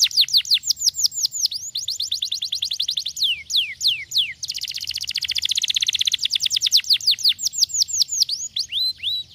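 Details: Lazy canary in full song, pouring out quick descending whistled notes in long series, a loud buzzy roll in the middle, then more falling sweeps and a few short upturned notes.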